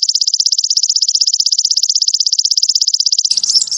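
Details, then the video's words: Caged-bird training master of sogon song: a continuous high, buzzing trill of quick regular pulses, ending in a short flourish of mixed twittering notes. "MASTERAN WAJIB BURUNG SOGON CEPAT GACOR"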